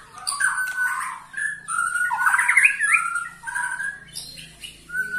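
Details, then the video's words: White-rumped shama aged 21 years in full song: sustained whistled notes and a quick warbled flourish, with a faint low hum in the background. "Murai batu ini ternyata usianya 21 TAHUN Gaya main masih NGOTOT"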